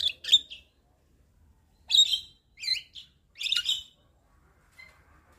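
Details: Javan myna (jalak kebo) song for tutoring and luring young mynas. Scattered bursts of squeaky, slurred whistles and chirps, some rising and some falling, separated by pauses of over a second.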